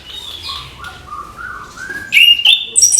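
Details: Orange-headed thrush singing in the morning: a soft series of low, rising whistled notes, then a sudden loud, clear sliding whistle and sharp high chirps.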